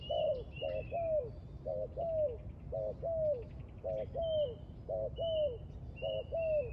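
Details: Spotted dove cooing steadily near a trap: paired short coos, each pair followed by a longer descending note, about one phrase a second, with thin high whistles from other birds and a low rumble behind.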